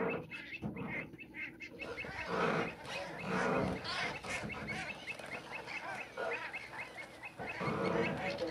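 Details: Common shelducks fighting on Two Tree Island, Essex, give harsh, honking, chattering calls in rapid overlapping bursts, with wind noise in the background.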